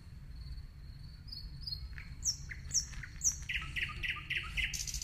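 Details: Nightingale in song: a drawn-out pure whistle followed by three piercing high notes spaced about half a second apart, then a fast series of lower chirped notes, over steady low background rumble.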